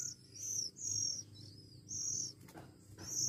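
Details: One-week-old Oriental magpie-robin chicks hand-fed; high thin arched squeals about once a second, separated by short gaps, over a low background hum.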